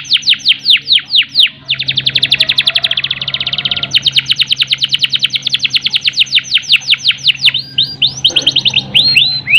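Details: Canary song used as a stimulus for canaries lacking breeding urge: opening slow descending whistles give way to a dense buzzy high trill, then long runs of rapid falling notes and a few swooping phrases, low hum underneath.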